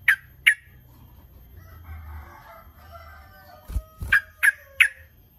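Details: Sooty-headed bulbul lure call, used to draw rival birds into answering: sharp, short "cuk" notes, two at the start, then a quiet stretch, then a rapid run of four, over a low hum.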